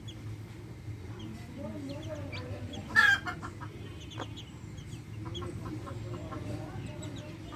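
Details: Backyard hens with chicks: one loud harsh hen call near the middle, followed by scattered short clucks and faint high chick peeps over low hum.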